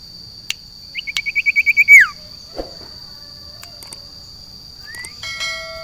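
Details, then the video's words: Caged sirtu outdoors in a garden singing a run of about ten short rising whistles that grow louder and end in a long downslurred note. A lone rising whistle follows, with clicks and a constant high hum in the background. "JEMUR SIRTU DI KEBON / MEMBUAT SUASANA BURUNG SIRPU DI ALAM BEBAS"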